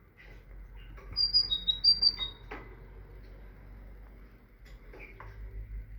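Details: Tit song: clear whistled two-note phrases, a higher note then a lower one, repeated three times in about a second and a half, followed by a sharp click and a few soft faint chirps.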